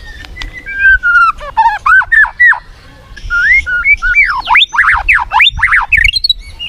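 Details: Murai batu, the white-rumped shama, singing to spur a lethargic bird into fighting mood. Level whistled notes lead into a fast string of looping, swooping whistles after a short pause.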